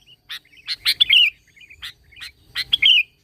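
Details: Sooty-headed bulbul (kutilang) singing as a lure to draw song from other bulbuls: two similar phrases, each of sharp chirps followed by a clear slurred whistle, with soft notes between.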